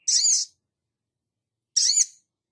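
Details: Sogon in 'gacor' form, recorded as a tutor for other birds: two harsh, buzzy, high bursts, each under half a second, separated by a long silence.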